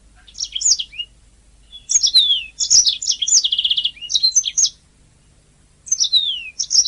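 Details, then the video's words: Canary song used as a master recording for training singing canaries: bursts of high, fast twittering notes with downward-sliding whistles and a rapid trill, separated by short pauses; no other sounds. "Ocehan Suara Burung Kenari"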